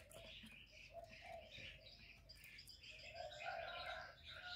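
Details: Decoy spotted dove cooing in a contest with a wild bird: a few low, soft hollow coo phrases, partly drowned by a busy chorus of high chirping and twittering birds and steady background hiss.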